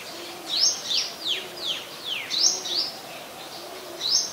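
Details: White-vented myna recorded 18 January 2021 in Ubon Ratchathani, Thailand, giving loud high rising chirps and quick downslurred squeaks in irregular bursts, with a soft low cooing in the background.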